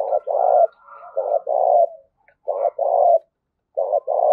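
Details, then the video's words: Spotted dove coo in the field-native voice, called thúc and gáy gọi: repeated pairs of a brief hoot and a drawn-out mellow coo, with a faint higher tone in between; otherwise still surroundings. "Tiếng cu gù Thúc và Gáy Gọi Nghe Cực hay"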